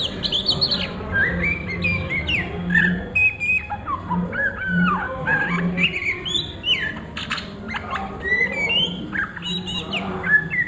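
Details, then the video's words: Oriental magpie-robin singing in the ngriwik style at midday: rapid, varied whistled notes, short rising and falling slurs and sharp chirps in quick succession, over a low repeated whining drone that pulses roughly every second. "SUARA KACER NGRIWIK DISIANG HARI"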